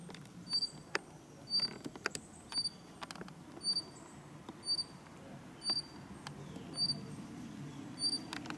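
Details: A female White-tailed Robin chirps in the bush at Dashue Mountain, Dongshu District, Taichung, Taiwan, on 20 August 2017, giving short, thin, high chirps about once a second over scattered clicks and a low background rumble.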